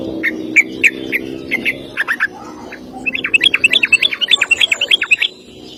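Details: Sooty-headed bulbul giving a long rapid 'ropel' song used as a master for training other birds: spaced chirps, then a fast run of bright, even notes about five per second before stopping.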